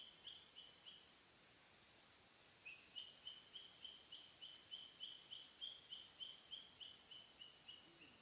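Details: A cockatiel (Nymphicus hollandicus) gives a steady series of short, high chirps, about three each second.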